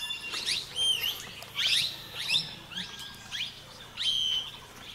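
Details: Grey treepie feeding in Uttarakhand, India, giving bright, high chirped and slurred notes in short bursts about every second, some with a clear whistled tone, among faint background chatter.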